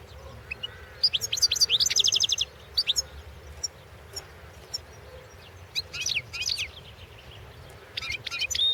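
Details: Competition recording of a Balkan European goldfinch from the 2016 world song championship: bursts of rapid, tinkling, high twitters and trills, separated by pauses and scattered single notes, over a faint low background hum.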